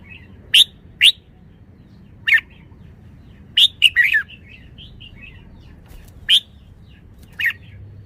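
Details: Red-whiskered bulbul calling with crisp, high whistled notes repeated at uneven intervals, a busier cluster of slurred notes in the middle, and soft chirps between phrases over a low steady hum.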